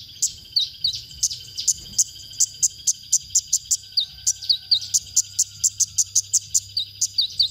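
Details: Masteran recording of a konin for training songbirds: a regular series of crisp high chips, spaced about a third of a second apart, mixed with quick falling whistles, over a soft low hum.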